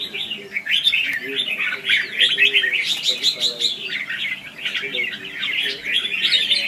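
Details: Red-whiskered bulbul singing in competitive style as a trapping lure: a steady stream of bubbly, slurred chirps and warbles, with a softer low chattering layer underneath.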